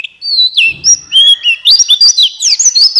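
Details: Loud, close buxtoni white-eye song for luring reluctant white-eyes to sing: fast chattering twitter of high sliding whistles, dense and unbroken for three seconds.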